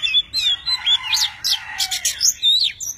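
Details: Tame Oriental magpie-robin sings while fanning wings and tail; quick, high, sweet whistled notes, upward and downward slurs and brief harsh chips follow in a lively run.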